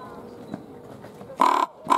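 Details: Common raven at Schönbrunn Zoo in February 2020 gives two harsh, nasal croaks about half a second apart, loud and hoarse against a quiet background.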